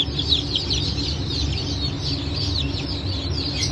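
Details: Many chicks from a 9 May 2024 hatch of Brahma, Phoenix, Sultan and Appenzeller chickens peep loudly, piercing high cheeps tumbling rapidly and overlapping, over a faint steady drone.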